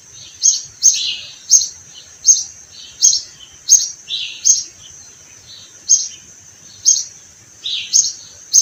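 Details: Sparrow chirping in spring among blossoming orange trees: sharp, high chirps spaced about half a second to a second apart, some with a slightly lower, buzzier note, over a quiet background with a thin constant high tone.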